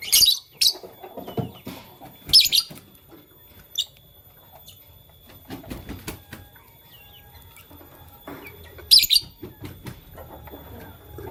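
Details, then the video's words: Lovebirds, Fischer's and masked, chirping in the morning: three loud, sharp, high shrill bursts spread across about eleven seconds, with fainter scattered chirps and low rustling and shuffling noises between them. "LoveBird Chirping Sound - Lovebirds Fischer & Lovebirds Personata"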